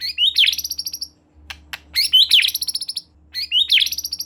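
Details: White-rumped shama (murai batu) in full song, used as a lure to make another shama sing: bright rising whistles sweeping into rapid chattering trills, three bursts separated by short pauses.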